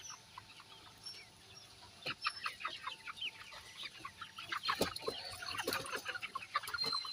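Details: Laying hens in a crowded flock, with dense overlapping clucks, squawks and short rising chirps that thicken and grow louder over seven seconds, broken by sharp knocking clicks.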